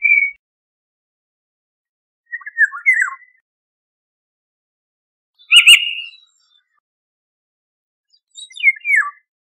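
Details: Fluted oriole phrases with downward-sliding notes alternate with one harsh, rasping, cat-like screech in the middle, about three seconds between utterances.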